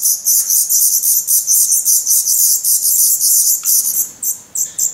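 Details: Black Redstart nestlings, starving and growing rapidly, in a nest in Portugal, May 2020: continuous dense, high-pitched hissing begging that stops abruptly, followed by a few separate sharp chirps.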